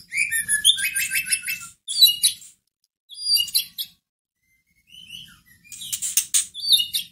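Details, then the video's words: Caged white-rumped shama song used to stir up another shama: rapid rattling trills and varied high chirps in phrases separated by pauses, one soft whistled note in the gap, then a loud final burst. "Pancingan masteran pendongkrak emosi murai batu loyo langsung nyahut Gacor"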